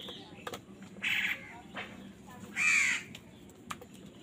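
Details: Crows contesting food: two harsh, nasal caws, the second louder, over a noisy, hissy background.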